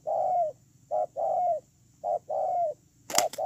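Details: Spotted dove used as a ground decoy, 8/10/2018, giving repeated two-part coos, a clipped first note then a drawn-out falling coo, with a sharp clatter near the end.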